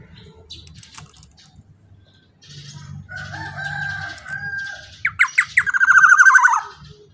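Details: Black-naped oriole, loud lure song for other golden orioles: after quieter scratchy chatter and a low hum, several sharp notes burst into a fast, harsh, buzzy trill that falls at its end.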